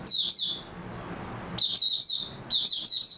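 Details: Oriental white-eye (mata puteh) singing, recorded 3 March 2022: rapid high twittering phrases of short slurred chirps, two bursts separated by a quiet gap of about a second, with faint low background hum.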